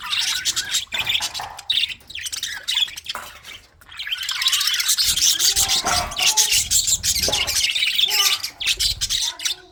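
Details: Budgerigars in a breeding colony, many birds calling together in a dense, continuous high chatter of quick chirps and warbles, briefly thinning near the start and middle.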